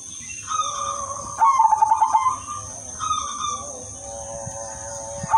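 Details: Zebra dove of the udanmas silver line singing with a melodious rhythm, used to lure other zebra doves: level whistled notes, then a rapid pulsed cooing phrase near the middle, then more drawn-out tones, over a steady high hiss.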